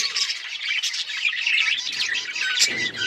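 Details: A group of budgies chirping: bright, rapid squeaky notes and twittering trills tumble over one another nonstop, with a sharp high peep near the end.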